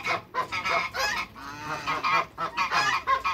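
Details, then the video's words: Two male and one female African geese kept in a backyard call in rapid succession, with rough, reedy honks following one another almost continuously and overlapping. "TWO MALE ONE FEMALE AFRICAN GEESE"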